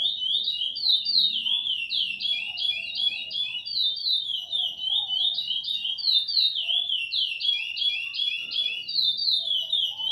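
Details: Long, sustained Ana Dias style song from a chestnut-bellied seed finch (curió): a dense stream of sweet whistled slurs, rising and falling in rapid repeating figures, with faint low background noise.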